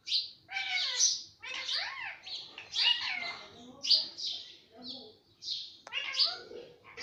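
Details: Pet parrot talking, heard as rapid, human-like syllables with changing pitch and raspy edges, grouped into short phrases with brief gaps, and a single sharp click partway through.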